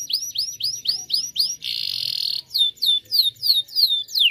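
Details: A canary sings to prompt other canaries into song: a steady series of high rising whistled notes, about three per second, broken by a dense buzzing trill, then clear downslurred notes in a repeated series.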